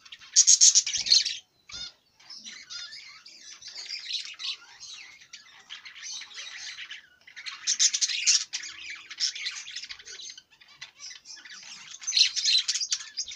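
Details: Budgerigar in extended warbling chatter: rapid scratchy clicks, squeaks and buzzy trills running almost nonstop, swelling into louder bursts every few seconds, with occasional soft knocks.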